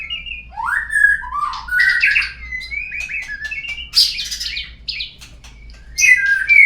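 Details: White-rumped shama song used as a lure to make birds sing: varied rich whistled phrases with rising and falling slurs, short buzzy notes and high chips, delivered in quick bursts with brief pauses.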